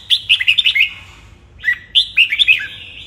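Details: Morning training song of a red-whiskered bulbul, meant to push it into strong fighting song: two bursts of quick, sharp warbled notes separated by a brief pause, clear and nearby over a soft low background hum.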